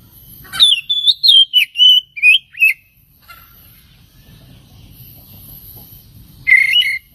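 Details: Oriental magpie-robin song played as a lure to provoke other birds: a flowing run of warbled, wavering whistles descending in pitch, then a quiet gap and a final loud sharp call.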